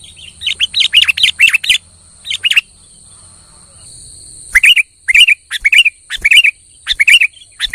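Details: Kutilang in full song, meant to rouse a quiet kutilang: quick chattering whistles at the start, a long silent pause, then evenly spaced bright, downward-curving whistled phrases, with a steady thin hiss throughout.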